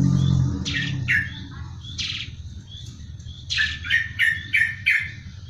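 A sparrow gives harsh, buzzy chirps in short bursts, several in quick succession near the end, over a low background rumble.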